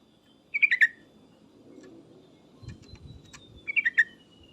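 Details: Sooty-headed bulbul calling to draw a reply, two bursts of three or four quick, bright descending chirps about three seconds apart over low rumbling background noise and a thin faint whistle.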